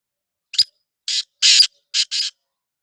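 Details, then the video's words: Black francolin calling, five short, harsh, noisy bursts in quick sequence over under two seconds, the middle note longest, against complete silence. "Black Frankoline Voice"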